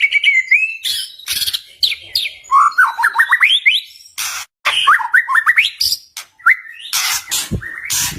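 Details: White-rumped shama (Copsychus malabaricus) song of rich, varied phrases: clear rising whistles and quick slurred notes broken by short harsh, scratchy bursts, used to provoke rival shamas and make silent birds sing back.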